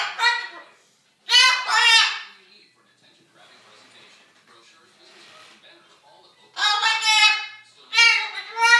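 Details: Cockatoo imitating an arguing couple in a small room, giving bright, strained, voice-like phrases in short clusters, two near the start and several more toward the end, with near silence between.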